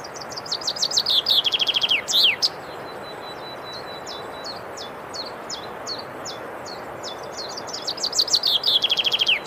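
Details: Male common chaffinch, herald of spring, singing to attract females and mark territory: a fast, high, descending trill of chirps ending in a flourish, then scattered faint high chips before the trill starts again, over a steady hiss.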